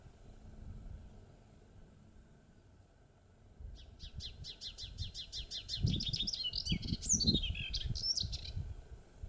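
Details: Melodious warbler in full song in the Mayenne countryside, France, 30 May 2022, late morning: after a quiet start, a rapid series of repeated high clicking notes speeds into a varied, chattering warble, over low handling and wind rumble.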